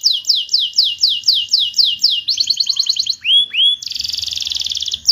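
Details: Canary song played to restart singing in quiet canaries: a series of bright downslurred notes about three per second, a quick chattering trill, two clear upslurred whistles, then a long dense buzzy roll.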